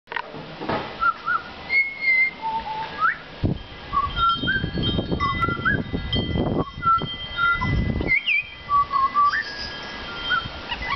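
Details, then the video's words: Butcherbird singing in a back yard, fluty whistled notes sliding up and down in short phrases, with bursts of low rumbling noise through the middle. "Singing for his Supper"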